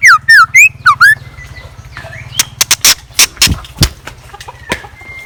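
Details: Decoy scarlet minivet singing in the morning: about five ringing, wavering whistles delivered rapidly at the start, then a scatter of loud snapping clicks and knocks with faint thin notes between them.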